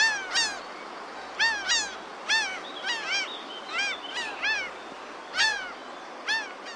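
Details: Several wild laughing gulls call on a sunny day. Their sharp, nasal, downslurred cries overlap irregularly, some doubled in quick pairs, against a steady hiss of wind or surf.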